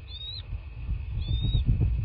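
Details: Bald eagle at a nest in a quaint landscape in southwest Florida, caught by a nest camera on 23 February 2024: two thin, high whistled notes, each gently sliding, spaced about a second apart over a steady low rumble and a faint electronic hum.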